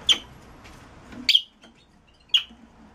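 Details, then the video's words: Red-rumped parrot in a mating-stimulation recording giving three sharp, bright chirps spaced about a second apart over soft background noise. "تغريد الريدرامب لتحفيز الانثى والذكر على التزاوج"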